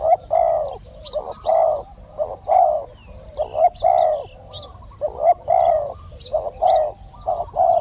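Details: Spotted dove in Thailand, where a caged decoy lures a wild dove that took long to come down. Loud, hollow coos run in rapid repeated phrases throughout, with occasional high chirps in the background.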